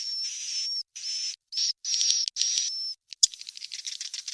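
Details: Swiftlet chicks calling, a sound played to draw in swiftlets: a run of buzzy, hissing high bursts with a faint whistle line, then a clatter of fast clicking ticks near the end.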